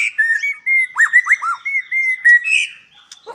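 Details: Captive white-rumped shama at a breeding farm in Palembang, Indonesia, delivering a rich song of clear sustained whistles and quick down-slurred notes, with a brief harsher phrase near the end.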